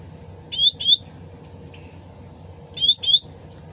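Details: Original sooty-headed bulbul song meant to lure other birds into replying: two paired, clear, rising-then-falling whistles about two seconds apart, with trickling water continuous behind them.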